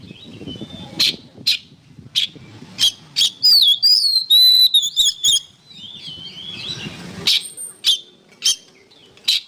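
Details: Oriental magpie-robin song used as training material for songbirds. Separated sharp chips lead into a dense burst of looping, whistled, warbling phrases, followed by scattered harsh notes.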